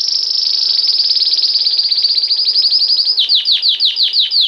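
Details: Belgian canary singing bell-like song: a long, rapid high trill that slows into a series of distinct downslurred notes repeated about twice a second.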